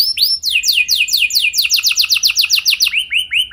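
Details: Canary singing a training lure song: rapid sequence of sweeping downslurred notes repeated about five per second, closing with a few rising whistled loops.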